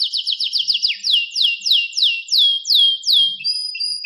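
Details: Canary singing: rapid descending slurred notes that slow into a measured series of clear downward whistles, ending on a sustained flat high tone.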